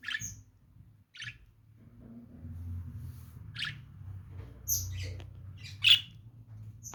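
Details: Piercing lovebird chirps, short and very high, coming singly every second or so, the last ones sharpest, against a low background hum.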